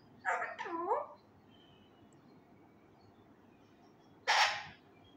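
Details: Young male Indian ringneck parakeet kept indoors, practising Urdu phrases loudly: a wavering, speech-like warble with rising and falling tones lasting about a second, then a sharp, harsh screech a few seconds later in a quiet room.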